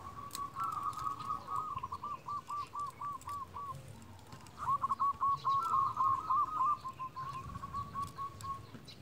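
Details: Local zebra dove calling rivals, used as a trapping lure: two long runs of quick, even, bouncing coo notes, fairly faint over steady background rumble and hiss.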